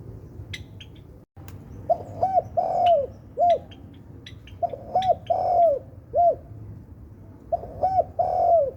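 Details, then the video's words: Spotted dove, tekukur sultan type, cooing in repeated phrases of two or three short hollow notes and one longer rolling coo, three phrases over several seconds, with scattered faint twittering chirps and a low background rumble. "Suara Merdu Burung Tekukur Sultan"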